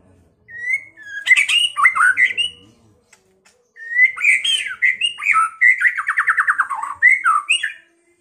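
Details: Song of a white-rumped shama, played to spur a rival to fight and sing; two bursts of varied whistles and chattery notes, the second ending in a rapid rattling series of repeated notes, with a short pause between.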